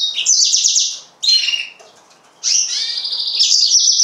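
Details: Yellow-fronted canary song: a fast high buzzy trill, a short descending phrase, a pause, then a long sustained twittering run.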